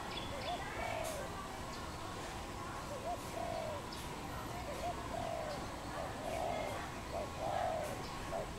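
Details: Wild dove in Cambodia, recorded 24 April 2020: soft, low cooing phrases repeated through the clip, each a short hooked note followed by a longer rolling coo, over steady background hiss.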